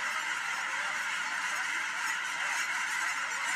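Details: Geese lifting off at William L Finley National Wildlife Refuge, a loud unbroken mass of honks from many birds, calls overlapping thickly and holding steady over the few seconds.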